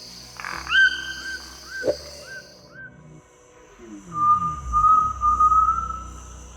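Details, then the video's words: Great tinamou on the Osa Peninsula, Costa Rica, on a normal morning with no sign of threat, giving pure, tremulous whistles in steady, evenly spaced rhythm: short sliding notes, then a longer wavering whistle; background music and a low descending sweep. "This is the call of a great tinamou on a normal morning. Steady rhythm, even spacing, no clear signs of a threat."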